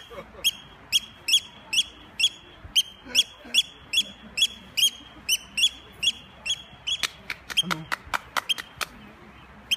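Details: A Eurasian oystercatcher attacking to draw attention away gives sharp, piercing alarm notes about twice a second, quickening into a faster burst at the end; a man's voice is faintly heard.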